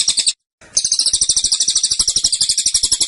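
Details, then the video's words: A cililin's short, insistent burst song: a brief trill, a quick pause, then a bright high run of rapid pulsed notes. "Tembakan Cililin Suara Rapat Dan Ngotot"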